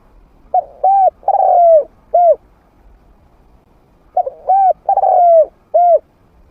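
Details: Decoy spotted dove, a trained bird with a medium voice, used to bring wild doves in without scaring them. It gives two phrases: a clipped note, an arched coo, a long falling purring coo and a final short coo.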